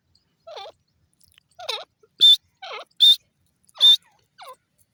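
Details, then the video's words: Francolin (teetar) calls in a loud, harsh series, lower wavering notes alternating with louder grating screeches, about one note every second, with no other sounds. "teetar bird sound"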